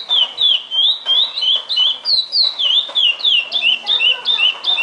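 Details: Chestnut-bellied seed finch, described as a 'fibra' repeater, singing a long fluid sequence of bright whistled syllables that rise and fall, evenly spaced about three each second, with little other sound.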